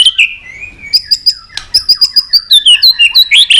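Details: White-rumped shama with many voices: a slurred whistle, then a fast run of high, bright repeated notes, about three per second, rising and twisting at the end.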